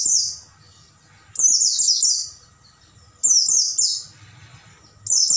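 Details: Night song of the Oriental white-eye used to train caged birds: short bursts of high, sweeping, down-slurred chirps, each burst under a second, separated by quiet gaps of about one to two seconds.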